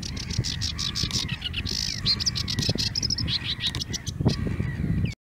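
A sedge warbler sings a fast, unbroken chatter of scratchy notes, rattles and brief high trills, over a steady low rumble of wind.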